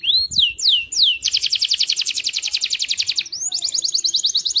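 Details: Canary singing day and night to encourage other canaries to sing: three descending slurred whistles, then a long fast rattling trill, a brief upslur and another rapid trill.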